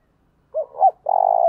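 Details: Decoy spotted dove cooing to lure wild doves: two short rounded coos followed by a longer, steady, slightly trembling coo, the phrase lasting about one second against a silent background.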